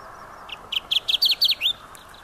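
Kirtland's warbler song: a loud, rapid run of about eight bright, clipped notes that speed up and end in a short downslurred phrase, over a faint steady hum.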